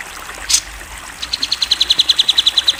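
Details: Cucak jenggot, known in English as grey-cheeked bulbul, a national champion, in a masteran recording: one short loud burst, then a quickening run of about fifteen sharp high chips.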